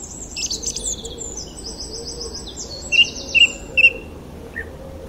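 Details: Chirping bird with high thin trills and warbled phrases, then three clear, separate mid-pitched notes about half a second apart, with a faint low background murmur.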